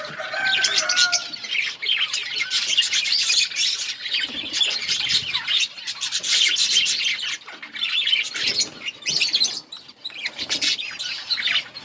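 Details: Budgie breeding colony in full chorus, constant overlapping chirps, warbles and squawks, opening with a clear whistled note and swelling and fading in waves.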